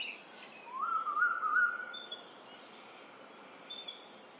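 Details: Eastern Koel, a male known locally as rainbird, announcing his spring arrival over the Lane Cove River valley, Australia. One strong rising whistle climbs and levels off for about a second. Thin high chirps from other birds sound behind it.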